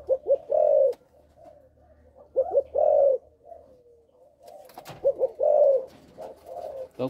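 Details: Young spotted dove of Malaysian stock, tested indoors, cooing in stammering phrases: two or three quick short notes then a longer rolling coo, repeated three times with pauses between, one click near the end.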